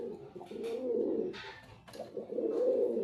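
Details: Soft, continuous low cooing by a white male pigeon, interrupted by a few dry clicks and rustles.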